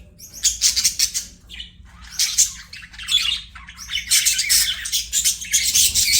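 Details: Pet budgerigar chirping: dense bursts of harsh, scratchy chatter and squawky chirps, broken by short pauses, with steady low hum beneath.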